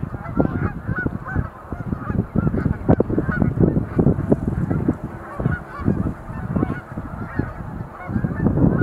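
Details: Displaying Sandhill cranes leaping at Montezuma National Wildlife Refuge in November 2020; loud, continuous chorus of rolling, trumpeting calls from many birds, with strong low-pitched buffeting beneath.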